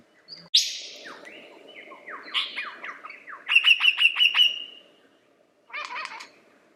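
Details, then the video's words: Lyrebird singing a rich, varied run: a loud high whistle, then a cascade of descending whistled notes, a rapid series of sharp repeated notes, and a final burst of harsh chattering after a short pause. "Lyrebird The Best Songbird Ever!"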